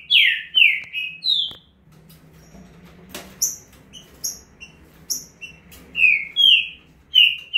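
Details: Fast 'estouro' song of a male green-winged saltator: strong whistled notes sliding downward, a brief lull broken by a sharp click, then the rapid whistled phrases resume.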